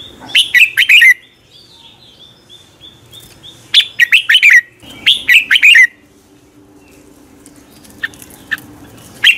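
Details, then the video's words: Red-whiskered bulbul giving morning contest song, used as a lure recording to train birds to sing: three bursts of four or five rich, quick warbled notes, with a faint thin high whistle from another bird between phrases. "Luyện chào mào hót sáng Giọng chuẩn hay Để ép bổi căng hót, chào mào hót đấu"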